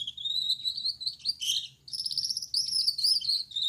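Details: A male Gouldian finch with a yellow back, red head and white chest sings at night a thin, high, wavering buzz, broken by a brief louder burst and then resumed, with faint low hum behind.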